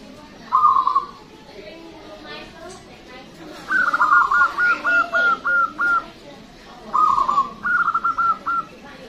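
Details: Local zebra dove singing loud and long, a voice meant to draw in other birds: short rolled coo, then a long string of evenly spaced pulsed notes, then a further two-part cooing phrase.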